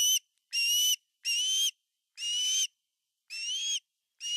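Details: Osprey father at a Finnish nest, 18 August 2020, bringing a huge fish; slow, drawn-out whistled notes, each slightly rising, repeated about once a second with short gaps between.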